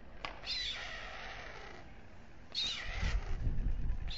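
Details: White storks at dusk on a nest atop the town hall tower in Alcalá de Henares, Spain: the male feeds two chicks. Two bursts of wavering, mewing, cat-like calls, separated by a quieter stretch with low background rumble.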